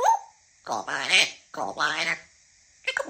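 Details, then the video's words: African grey parrot talking: two drawn-out, voice-like harmonic phrases with shifting pitch, separated by a short pause, ending with a brief squeaky note. "African grey time to talking"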